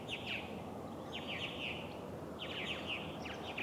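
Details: Purple martin at an osprey nest, Steigerwald Lake National Wildlife Refuge, Washington, USA, 24 July 2011, giving two bursts of throaty, gurgling chirps, each about a second long, over steady background hiss.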